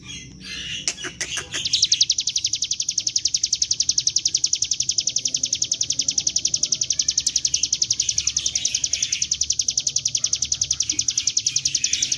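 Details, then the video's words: Lure recording of Bar-winged prinia (ciblek gunung) in continuous ngebren song: after a few scattered clicks and noises at the start, a rapid, relentless series of high, sharp notes takes over and runs steadily to the end. "Pancingan bunyi CIBLEK GUNUNG dengan suara ciblek gunung GACOR NGEBREN"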